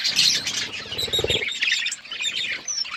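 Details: Colourful budgerigars chirping: a busy chatter of high twittering and warbled notes, with a low rumbling noise in the first second and a half.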